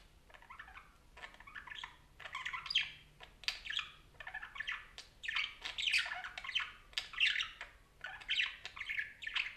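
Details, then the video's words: Parakeet chatter: a continuous run of scratchy squawks, chirps and warbled notes in short overlapping bursts. The bursts come roughly every half second for nearly ten seconds, over a faint background hum. "Som de periquito conversando"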